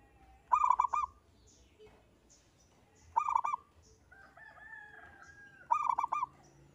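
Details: Singing local zebra dove in 'engkel' style, a lure to get other doves singing: three quick cooing phrases about 2.5 seconds apart, with a longer, higher, drawn-out call from another bird between the second and third.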